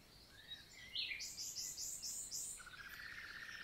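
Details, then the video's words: Summer morning nightingale song recorded in the Célé valley, Lot, southern France: a rising whistle followed by a series of five loud high repeated notes, then a lower rapid trill running to the end. "NIGHTINGALE MORNING SONG"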